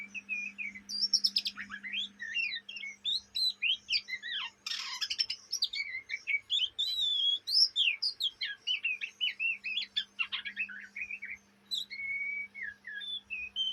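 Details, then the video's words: Young Oriental magpie-robin from Indonesia, possibly Kalimantan, chattering (ngriwik) day and night: a dense, fast run of varied whistled notes, sharp upslurs and short trills with few pauses, with a steady low hum behind. "kacer bahan ngriwik siang malam"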